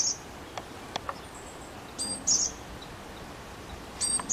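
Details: Two high, thin phrases of a Japanese tit, each a stacked chirp and a bright ringing note, separated by about two seconds of quiet hiss and a few faint ticks.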